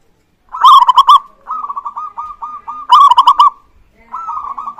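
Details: Zebra dove of local stock, singing to prompt other birds, gives loud stuttering coo phrases of rapid pulses linked by a steady run of soft repeated notes, the pattern recurring every few seconds against a silent background.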